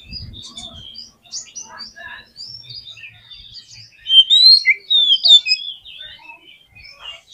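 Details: Oriental magpie-robin sounds, used to provoke a kept bird into singing: scattered quiet chirps and short whistles, then a louder burst of sweeping whistled phrases midway, with low thumps near the start.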